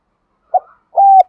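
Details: Lure spotted dove used to excite other doves: a short soft note followed by one sustained level coo.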